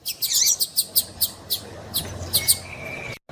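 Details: Calling female double-collared seedeater, used to make the male sing: high, clipped chirps repeated about three times a second, softening toward the end, over a faint low hum and a thin steady tone.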